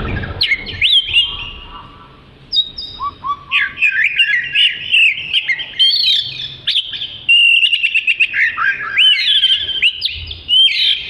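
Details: Black-and-white, long-tailed Oriental magpie-robin singing melodiously for tutoring other birds: long, continuous high warbling of whistled slurs, trills and quick repeated chips, briefly dipping to lower notes.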